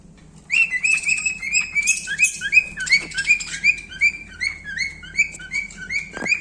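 A cockatiel gives a quick, steady run of bright, chirpy whistled notes, several each second.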